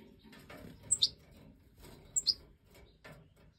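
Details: Fledgling European goldfinches (Major form, captive-bred in 2024) after leaving the nest, being fed by the hen. Paired piercing high notes, each pair given twice about a second apart, over faint background rustle.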